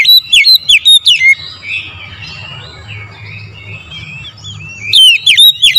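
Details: Morning oriental magpie-robin song for luring birds into singing: a rapid series of loud, swooping V-shaped whistles, a stretch of soft twittering warble, then another burst of loud whistles.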